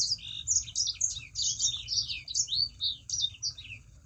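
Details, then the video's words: Sangihe shrike-thrush in full song, played to coax other birds of its kind into singing: an unbroken stream of rapid, high, sweeping chirps and twitters for about four seconds, with a faint low hum beneath. "Burung Sanger Gacor. Pancingan Burung Sanger Supaya Ikut Gacor"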